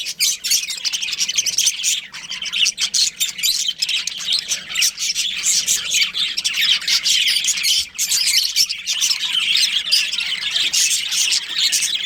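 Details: Budgerigars from a colony with a breeding pair, chattering in a dense, continuous stream of high, scratchy chirps and warbles with brief dips, over a faint low hum.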